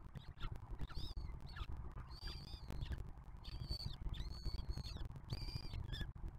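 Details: Young peregrine falcons at a nest box on the Museo de América as a 2023 juvenile feeds its 2024 siblings; drawn-out, thin, high whines with slightly falling ends, coming in quick series, over low background rumble.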